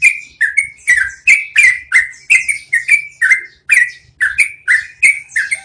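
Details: Trucukan, the yellow-vented bulbul, in a long rolling song meant as training audio for cage birds; steady run of bright downslurred whistles, roughly three per second, over a faint low hum.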